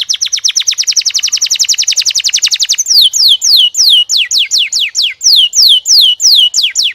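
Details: Canary singing a fast even trill of rising-falling notes for about three seconds, then slower, louder downward-sweeping whistles repeated about three per second.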